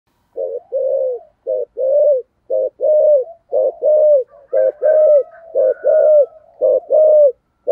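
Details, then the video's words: Spotted dove used as a decoy to lure wild doves, giving low soft cooing notes in steady groups, about one per second, with a faint higher whistle overhead midway through. "Chim Cu Mồi, cu gáy giọng thổ thúc gù và gáy gọi chuẩn thổ"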